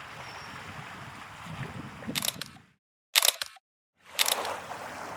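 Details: Soft flowing water and background hiss are broken by several bursts of rapid camera shutter clicking separated by brief silences, with no animal calls audible.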